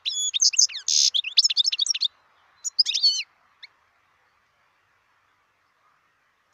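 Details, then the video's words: Wild European goldfinch from 2018 gives about two seconds of quick twittering with a buzzy burst. A short separate phrase follows, then a single note, then near silence. "صوت الحسون البري"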